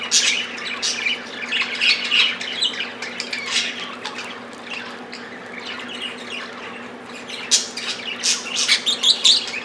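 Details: Several pet budgerigars squabbling over millet, giving harsh, scratchy squawks and chatter in irregular overlapping bursts, with a faint steady low hum underneath.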